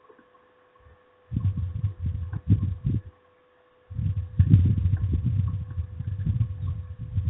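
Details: Low thumping, rumbling bursts come in two runs split by near-silence, over a faint steady hum, with no calls heard.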